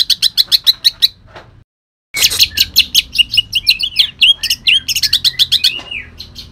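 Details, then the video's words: Kalimantan greater green leafbird singing harsh phrases laced with shrike mimicry: fast sharp chirps, a brief silent cut, then a dense jumble of loud chirps, twitters and slurred notes. "cucak ijo kalimantan tembakan kasar"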